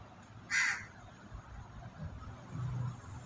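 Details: Crow calling near a flock of white pigeons that are feeding and pecking at food: one short, harsh, hoarse caw early on, then only low rumbling background noise.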